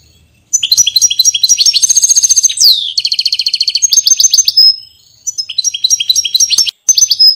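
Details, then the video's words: Continuous goldfinch song from a Portuguese bird: bright twittering chirps, a buzzy rattle, a downslurred note, then more tinkling phrases and trills separated by short pauses; no other sounds audible. "Pintassilgo Português"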